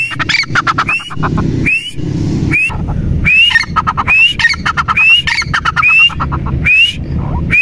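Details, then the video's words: Teetar partridge calling loudly: a rhythmic string of upward-sweeping whistles and harsh chattering clicks, roughly once per second, against bursts of low rumbling background noise. "Teetar ki awaaz | teetar ki Awaz | Dakni Ki Awaz| teetar voice | teetar ki boli | dakhni teetar"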